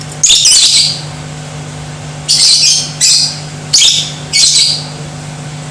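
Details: Lovebird singing to provoke other lovebirds into aggression and song: four harsh, high, buzzy chattering bursts, each under a second, at irregular intervals over a low hum.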